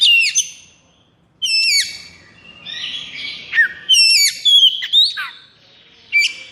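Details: Kept Oriental magpie-robin in 'konslet' state, in high breeding condition, highly agitated and full of energy, used as a training recording: sharp, high descending whistled notes in separated bursts, a buzzy chattering trill in the middle, quiet gaps between phrases.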